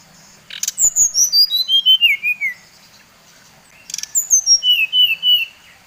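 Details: Bali brown-chested jungle flycatcher lure song that stirs other birds to anger: two phrases of about ten quick clear whistles each, cascading downward and preceded by short clicky bursts.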